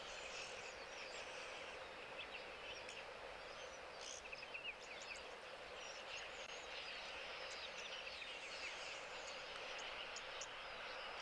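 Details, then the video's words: Oxpeckers calling at Okukuyo while a giraffe drinks: faint, scattered high chirps and short hissing notes come irregularly over a steady wash of outdoor background noise. "You can hear the oxpeckers as well. So"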